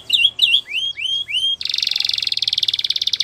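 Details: Training song of a canary: several upward-curving whistled notes, then an abrupt switch to a fast, even, rattling trill held to the end.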